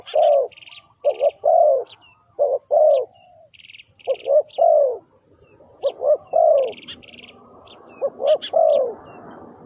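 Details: Trapping lure of a spotted dove: repeated husky three-part coos, short notes leading into a longer drawn-out one, with brief buzzy chirps from another bird in the gaps.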